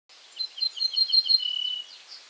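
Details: Ortolan bunting singing at Julków on 3 June 2017: a short series of clear, evenly repeated ringing notes, followed by a lower, drawn-out note.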